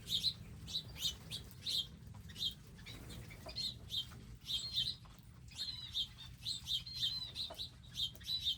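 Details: Wild birds at garden feeders with seed and water, calling in bright, clipped chirps in uneven bursts, a busier run of twittering in the second half, low rumble in the background.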